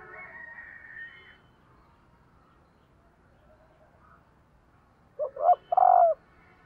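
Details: A faint higher hum at the start, then a female spotted dove calling to excite males, with one low cooing phrase near the end: two short notes followed by a longer, steady coo.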